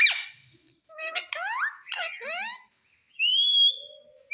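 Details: Green pet parrot talking: a sharp high opening note, then bursts of rising, harmonic-rich sweeping syllables with brief gaps, ending in a long steady high whistle and a short closing note.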